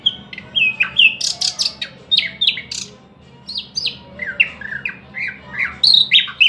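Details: Varied song of a thrush nightingale: slurred whistles and harsh, broad bursts, a short pause, then a string of falling chirps and bright, loud notes building toward the close.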